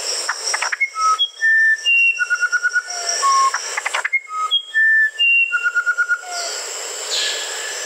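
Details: Song of a musician wren: pure, flute-like whistled notes at different pitches, each held briefly, mixed with a pulsed trill, repeated as a phrase twice, over steady high-pitched background hiss.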